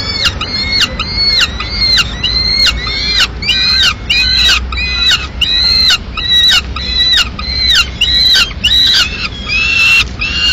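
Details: Peregrine falcon at its Madrid nest at mid-morning, the female bringing in pigeon remains; a steady series of loud, harmonic, down-slurred calls, each about half a second long, repeated nearly twice a second.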